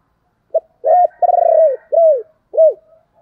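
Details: Decoy spotted dove cooing to call: one short note followed by an arched coo, a drawn-out purring coo that slides down, and two clear downslurred coos, low and mellow, with nothing else audible.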